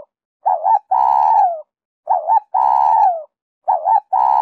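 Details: Spotted dove singing the 'Giọng Kim 2 hậu' style, used as a lure for wild doves. Three phrases, each a rounded two-note coo leading into a prolonged hoot that tails downward.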